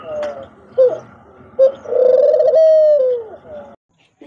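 A dove gives soft, low, hollow coos: two brief notes, then a long drawn-out coo that bends downward at the end. Nothing else is clearly heard.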